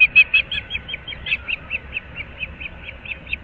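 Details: Osprey calling at a nest in Naples, Florida, at Moorings Park, early morning of 15 April 2024; a quick run of sharp, high chirps that starts loud and continues as softer, evenly spaced notes.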